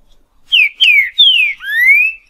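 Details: Wild green-winged saltator singing in the boiadeiro style: four loud, clear whistled notes in just over two seconds. The first three slur downward, the last rises steadily. Silent background.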